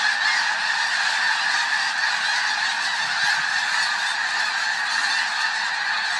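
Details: A flock of thousands of snow geese taking flight on Fir Island fills the air with a steady roar of overlapping nasal honks and yelps merging into a continuous din.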